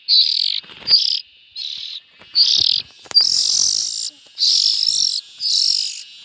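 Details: Young bulbuls produce hoarse, hissing rasps that lengthen into longer, louder wheezes after the first few, with occasional clicks between them.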